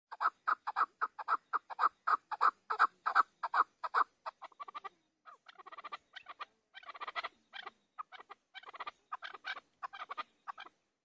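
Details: Chukar partridge calling: a loud run of rapid, evenly spaced clucking notes, about 160 per minute, during the first four seconds, then softer, more broken and uneven chattering clucks for the rest.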